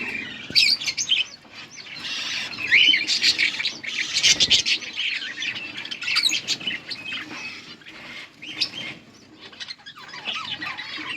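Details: Budgies chirping while feeding their chicks; chattering, warbling bursts of squeaky notes mixed with sharp clicks and wing flutters, quieter toward the end.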